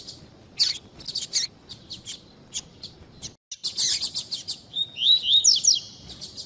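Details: Double-collared seedeater female chirping to warm up a male, mixed with tui tui style song: rapid high chirps, a brief silent break, then dense chirping and a sweet run of whistled slurred notes near the end.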